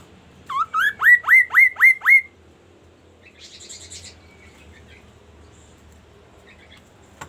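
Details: Magpie-robin song in the 'kaso kaso' style: six loud upward-sweeping whistles repeated evenly at about four per second, followed by a softer, buzzy, high chattering phrase and scattered faint notes.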